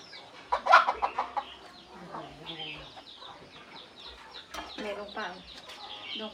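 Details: Hen clucking to call her chicks to come and eat: a quick burst of about six loud, low clucks in the first second and a half, then quieter scattered sounds and faint background noise.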